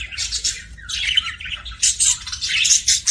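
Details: Happy budgerigar chirping: continuous rapid, scratchy warbling and high tweets, rising in intensity toward the end, with a low background hum.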